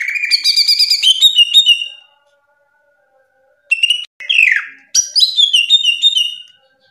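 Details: Greater green leafbird in full ngerplong song: rapid high trills and chirps, a short silence, then a swooping whistle and more quick stacked phrases of bright descending notes.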